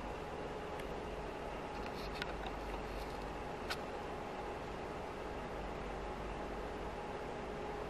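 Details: A steady electrical hum with two fixed tones runs throughout, broken only by a few brief clicks, with no animal sounds.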